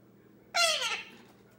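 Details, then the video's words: Indian ringneck parakeet, a young male of 10 months playing alone indoors; one harsh, nasal squawk that slides downward over half a second, over a low steady room hum. "Cute baby parrot entertaining himself by talking and playing"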